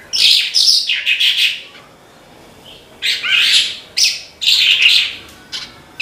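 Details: Branjangan, Horsfield's bush lark, singing 'gacor': clusters of shrill, buzzy chirps and a few swooping notes, a two-second pause, then renewed quick high bursts.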